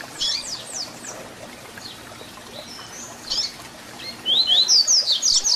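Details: ["Papa-capim (double-collared seedeater) in the 'Tui Tui Zel Zel' fibra song style used to teach young birds. Quiet scattered chirps open the clip, and a loud phrase of rising whistles and fast high notes closes it."]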